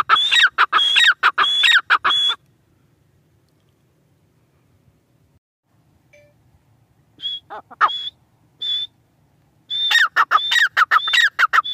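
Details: Loud bursts of grey francolin calling, high piercing whistles and falling harsh notes, broken by several seconds of near silence before scattered whistles and a fresh burst resume.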